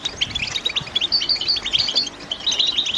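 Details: Chattering calls of caged female European goldfinches ready for breeding, meant to break a silent male's silence and start him singing: rapid high chirps and brief buzzy notes in a continuous overlapping flock sound, with faint hiss.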